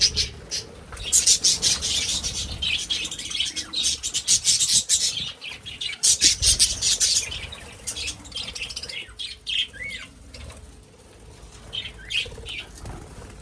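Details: Budgerigars kept for breeding, 2026: a long stretch of rapid, harsh, high chirping with wing flutters, then fading to scattered whistled notes and short squeaks.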